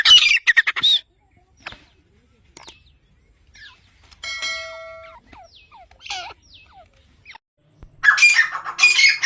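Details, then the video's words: Grey francolin, or jungli teetar: harsh squawking bursts open and close the recording, separated by a quieter stretch of scattered chirps and a clear tonal whistle. "dakhni teetar ki awaz | teetar boli| jungali teetar ki sound |grey francolin voice"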